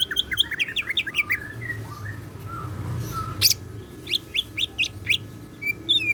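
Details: Greater green leafbird, a kept cucak ijo, in full song with siklon filling. A quick series of bright downslurred whistles, then softer low warbles. A sharp burst follows, and a second fast run of high, even, repeated chirps. Faint background hum.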